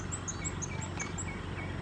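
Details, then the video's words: A puffed-up Pale-billed flowerpecker preening and calling at Sondekuppa Kere, dated 160723: a quick run of tiny, very high, thin chips about every quarter second over a steady low rumble of background noise. "Pale-billed Flowerpecker preening and calling"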